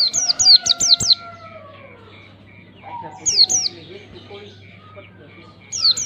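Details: Ngalas-style lure song of an Oriental white-eye: a rapid opening string of high falling chirps, then sparse bursts of two or three similar notes, backed by a low drone and softer whistles.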